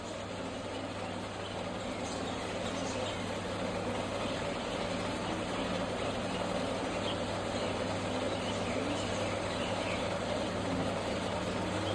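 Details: A steady, low engine-like hum and broadband noise run throughout, with no clear animal calls.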